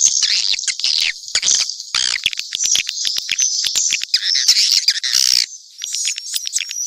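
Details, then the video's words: Swiftlet calls mixed together, harsh buzzy squeaks and trilling chirps with scattered fast clicks. "Sp burung walet campuran"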